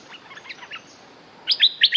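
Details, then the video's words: Streak-eared bulbul, a territory-holding bird with a strong song, used as a lure call: soft scattered chirps, then a burst of four loud, bright, slurred whistled notes in quick succession near the end. "Suara pikat merbah lekir gacor"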